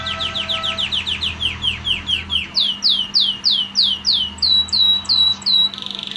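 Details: Red factor canary singing a continuous rolling trill of rapid downward-sweeping notes, the phrase speeding, rising higher and changing pattern midway, ending in a fast buzzy stutter, over a low steady background hum.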